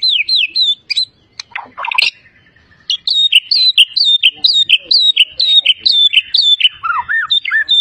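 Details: Champion white-rumped shama from Medan, a caged competition bird with mimicry of many bird species, delivering loud high whistled notes, a repeated up-down slurred phrase about twice per second, after a brief chattering break.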